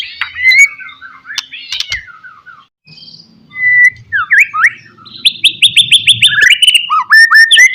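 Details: White-rumped shama song in the pastol style, used as a lure to provoke rivals: varied whistled phrases and falling slurred notes, then rapid repeated sharp chips and rising whistles, with a soft low rumble in the middle.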